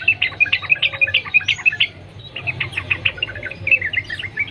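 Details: Wild Yellow-vented Bulbul giving lively continuous chattering song, used as a lure to get other bulbuls singing: rapid bubbling, slurred notes in fast runs, a short pause midway, then more chatter over a low steady hum.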